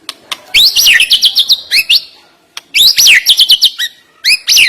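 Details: Captive white-rumped shama (murai batu) singing a sharp, lively song to stir up a quiet bird: rapid bursts of high whistled and rising-falling notes with clicks, in two phrases separated by a brief pause.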